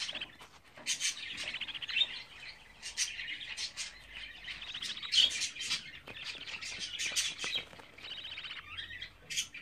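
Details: Lively chatter from 24-day-old budgerigar chicks: dense buzzy warbles and trills, punctuated by many sharp clicks, carrying on without a break.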